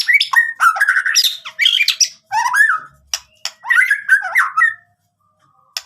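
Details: White-rumped shama, a lively singing bird, delivering a varied, rich song of rapid whistled and chattering phrases with squawky notes, in bursts separated by short pauses, ending with a sparse click.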